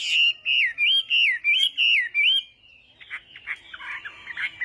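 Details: Chinese hwamei in a singing contest, morning voice training: six strong looping whistled notes in an even series, followed by fainter, rougher chattering notes.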